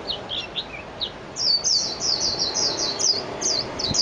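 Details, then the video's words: A few scattered, slightly lower chirps open this Japanese white-eye song, which then becomes a fast, steady string of high twittering notes. "تغريد طائر ابيض العين الياباني ميجيرو"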